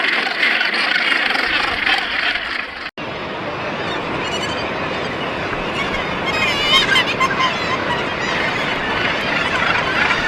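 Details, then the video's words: Northern gannets at a crowded colony give a dense, harsh din of rough, guttural calls, with a brief break near three seconds and some higher wavering cries later. "Cri du Fou de Bassan | Northern gannet sounds"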